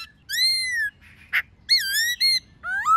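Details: Wild white-cheeked laughingthrush singing with a female nearby, used as training song for captive birds: long pure whistled notes, some gently falling, broken by a brief harsh burst, ending in a rising whistle.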